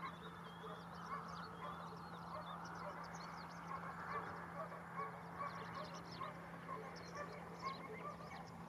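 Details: Several greater flamingos at Barragem da Marateca in November 2022: goose-like nasal honks, overlapping and repeated roughly twice a second, over a steady low hum, with faint high chirps from other birds.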